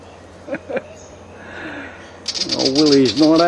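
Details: Willie wagtail in a backyard, upset by a butcherbird nearby, giving a harsh, rapid, rattling scolding chatter that starts midway and continues loudly, after a man's quiet voice and a couple of soft knocks.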